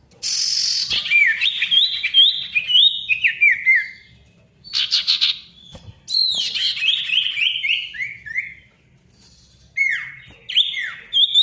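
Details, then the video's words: Ashy tailorbird song used to restart silent tailorbirds: repeated bursts of rapid whistled notes stepping down in pitch, separated by short pauses, with sharp upslurred phrases and a few clicks. "SIRTU GACOR RIBUT COCOK UNTUK SIRTU MACET BUNYI AGAR GACOR KEMBALI"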